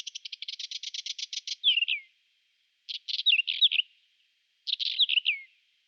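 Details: Whinchat singing in spring, April 2020: a fast rattling train of clicky notes leads into short scratchy warbled phrases with downslurred whistles, the phrases repeated about every one and a half seconds with quiet gaps between.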